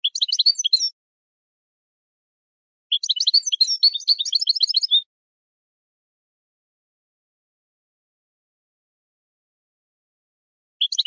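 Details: A European goldfinch sings for bird training, delivering dense bursts of fast, tinkling, buzzy twitters. A short burst opens, a longer phrase lasting about two seconds follows, and a long silence comes before a new phrase begins at the very end.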